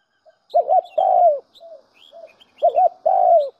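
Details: Recorded spotted dove lure call meant to attract doves: two phrases of a quick wobbling double note followed by a long, falling coo, separated by soft short notes, with faint high bird chirps.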